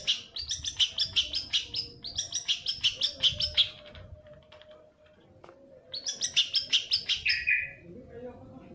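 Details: Long-tailed shrike singing as a lure for other shrikes: rapid harsh chattering notes, about three per second, in two long runs and a third run after a pause, ending in a lower slurred note.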